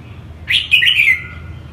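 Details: Red-whiskered bulbul, northern Vietnamese type, giving a single quick warbled phrase of rich, slurred whistled notes lasting under a second, against a quiet low hum.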